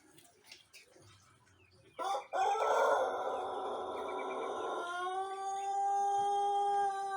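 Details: Young Pelung Jejangkar rooster in Indonesia, one month into learning to crow, recorded in the morning on an empty crop. After quiet background, a long, drawn-out crow rises and holds for about three seconds, then gives way to a steady, tonal drone.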